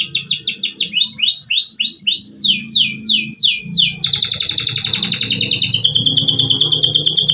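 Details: Adult canary, a frequent winner of F2-level caged singing contests, recorded on an ordinary phone while in full song: rapid repeated sweeping whistled notes, then a long fast trill of dense, even pulses lasting over three seconds.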